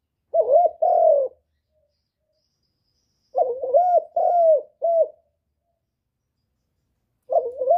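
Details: Spotted dove calling to stimulate birds: low, soft coo phrases of two or three notes, a quick warbled opening then a drawn-out falling coo, repeated after roughly three-second silences, with no other sounds.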